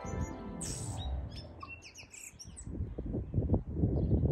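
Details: Tui singing in New Zealand among yellow-blossomed kōwhai trees: a wheezy noisy burst, then a run of short high whistles and quick chirped notes, over a steady low rumble of wind.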